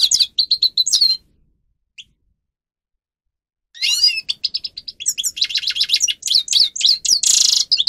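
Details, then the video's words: Captive grey-crowned goldfinch (Carduelis caniceps) singing as a training tutor; a short twittering phrase, a long silence, then a rapid run of chirps, slurred whistles and a loud buzzy trill near the end. "(Carduelis caniceps) Goldfinch song Best for training"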